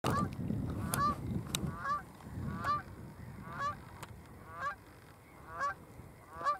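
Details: Canada goose in flight over Burwell Fen, Cambridgeshire, UK, on 15 April 2015; honking calls repeated roughly every second, each a nasal, harmonic-rich honk, with low rumbling wind noise underneath.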